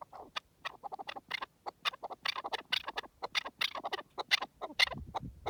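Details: A partridge in the wild gives loud, rapid, raspy chattering notes in a tumbling, irregular stream, busy and excited throughout.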